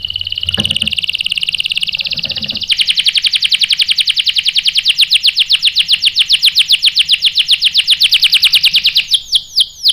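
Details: Canary bait song for provoking other canaries to reply with rolling song: a sustained high buzzy tone, then a long rapid roll of clicking notes at steady pace, closing with a few swooping whistles.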